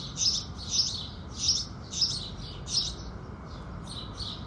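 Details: House sparrows singing with the rising sun in the morning: bright, high chirps repeated about every half second to three-quarters of a second in a steady series, over a soft low background rumble.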